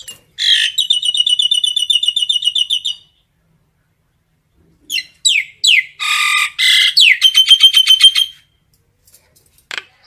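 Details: Common myna giving flock calls: a long rapid rattle of harsh, tinny repeated notes for about two seconds, a pause, then squawky slurred notes and another grating chattering burst.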